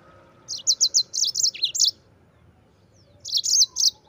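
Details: Yellow-fronted canary delivering lively rolling song as a training model for white-eyes: a row of fast high chirps with a short dipping note, a pause, then a brief final burst.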